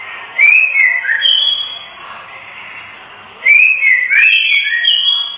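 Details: Female oriental magpie-robin giving kretekan to rouse males lacking breeding drive: two loud bursts of rising, twisting whistles and ticks, about three seconds apart, over a persistent background hiss.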